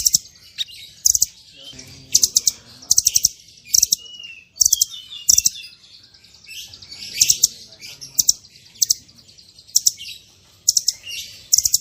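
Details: Masteran recording of a small bird with full 'tembakan' variations: sharp, high clicking bursts in tight clusters, repeated about every second, with a thin whistled note in between.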